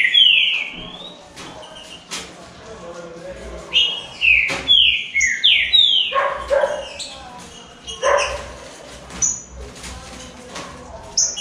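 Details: Three green-winged saltators compete in a singing dispute. They deliver clusters of bright, downward-slurred whistled phrases, with gaps between bursts, sharp clicks and some harsher, lower notes mixed in.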